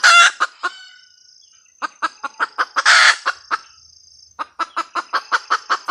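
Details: Red junglefowl hen giving a cackle: a harsh opening squawk, a pause, a run of quick clucks with a loud rasping cry in the middle, then more regular clucks. A thin, constant high tone continues behind.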